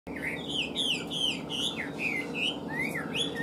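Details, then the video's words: Caged Chinese hwamei kept as a songbird, singing rich clear whistled phrases, slurred notes sliding up and down in quick succession with a steady low hum behind. "Họat Họa Mi"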